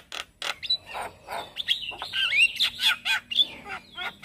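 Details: Male Javan myna singing in the morning, used as a lure and tutor song for starlings: harsh rasping bursts give way to a fast jumble of clear rising and falling whistles and chattering notes.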